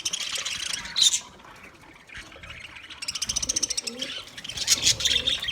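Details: Budgerigars chirping, offered as company for a lonely bird: bursts of buzzy, scratchy high chatter, a loud burst near one second, then a quieter pause before a dense stretch of rapid warbling twitters.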